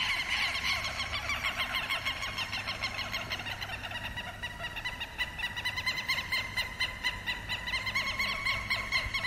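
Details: Southern lapwing giving its alarm call against predators, the first to raise the alarm when an intruder enters its territory; harsh, rapid notes with a strident overtone repeat roughly twice per second in steady runs over a faint low hum.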